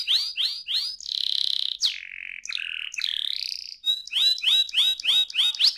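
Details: Canary song offered as a tutor to get young canaries singing: three falling chirps, a long buzzy steady note, lower flat notes, then a rapid series of sweeping, hooked notes.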